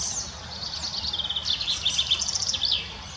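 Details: Young fieldfare in the Munich Botanical Garden, Germany, giving a thin, high chattering run of short squeaky notes through steady low background rumble.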